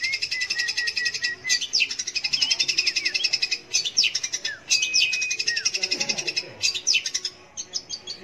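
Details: Long-tailed shrike song used to provoke young or silent shrikes into singing: rapid chattering notes repeated about four per second, mixed with sweeping whistled slurs and brief pauses.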